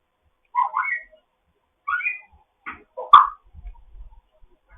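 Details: African grey parrot in foster care chattering in the morning: short squeaky whistled notes in small clusters, then a sharp click-like burst and a low warble in a quiet room.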